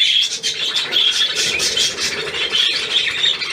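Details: Budgerigars chattering together in a steady stream of scratchy warbled notes and short squawks, overlapping without pause.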